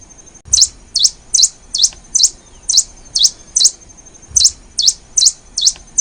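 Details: Repeated high chirps from a black-and-rufous warbling finch, each a quick descending-then-rising note, delivered in an even series of about two per second with one short pause midway, quiet surroundings.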